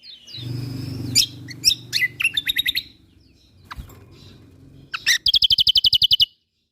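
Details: Lombok kecial kombok white-eye singing actively, recorded as songbird training material. High, thin twitters over a low rumble build into a loud, rapid trill of repeated bright notes that ends abruptly.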